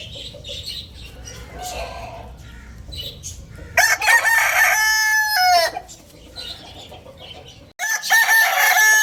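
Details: Lohmann Brown rooster at Lalukhet bird market crowing loudly: a long, harsh, harmonic-rich crow held for nearly two seconds and then falling at the end, with a second loud crow starting near the finish, over faint chirps of small birds.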